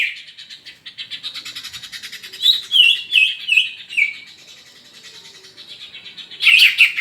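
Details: Greater green leafbird, a kept bird from Rangkasbitung, singing nonstop: a fast buzzy trill followed by a series of loud, downward-slurred whistles, then a final burst of chattering notes.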